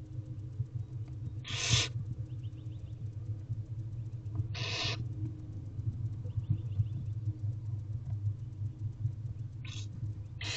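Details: Barn owl owlets in a nest box beg for food from their mother; harsh, noisy hisses come at intervals of about three seconds against a constant low hum.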